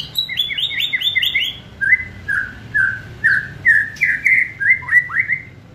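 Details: Gacor white-rumped shama performing kretekan song to stir emotion: a fast string of high rattling chips, then a series of rich whistled notes repeated roughly every half second, ending in upswept slurs.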